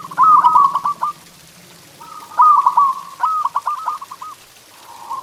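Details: Zebra dove, a local Indonesian perkutut, singing a master song to stimulate pet doves: rolling, trilled cooing phrases about a second long, repeated with short pauses, each broken into quick stuttering beats.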